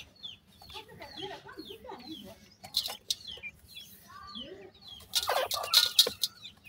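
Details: Several grey francolin (teetar) chicks calling with short, high, descending chirps, scattered and overlapping at an uneven pace, then a burst of loud clattering, rustling noise near the end.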